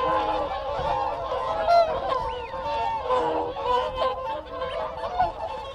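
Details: Whooper swans calling to keep contact within a group, close up: overlapping nasal, bugling honks with rich harmonics, a steady chorus, with wigeon whistles and Canada geese calling in the background.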